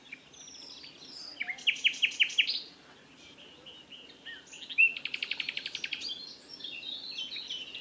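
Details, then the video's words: Common nightingale singing from dense scrub at the Wiekense Gat on 22 May 2022, delivering short separated phrases: a fast run of rhythmic repeated notes, a pause, then a sharp note and another rapid repeated series with high thin notes. "Zingende nachtegaal"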